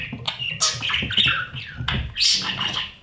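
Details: Inside a budgerigar nest box as parents feed the chicks: short, intense, harsh scraping calls, two clusters of loud raspy notes, over rustling and bumping sounds.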